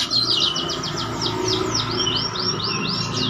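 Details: Oriental magpie-robin in strong song with a full repertoire, challenging rivals: a fast series of clear downslurred whistles, about four per second, gradually lowering in pitch, over a steady background hum.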